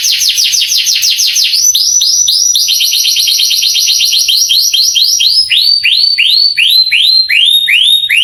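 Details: Canary song to make young canaries answer: rapid downslurred chirps slowing into spaced rising whistled notes about three per second.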